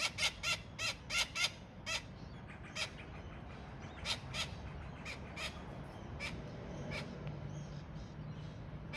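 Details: Young Australian king parrot at Kincumber giving a series of harsh, rasping squawks, several in quick succession at first and then spaced about a second apart, fading toward the end over low background rumble.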